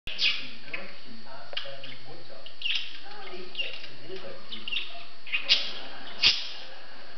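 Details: A male budgerigar gives many kisses to his female partner, with a busy, scratchy warble broken by sharp high chirps and clicks.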